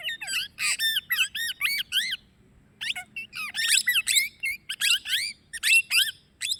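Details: Continuous shrill chatter from a plum-headed parakeet: quick squeaky chirps with wavering pitch, a short pause partway through, then a denser run of bright notes.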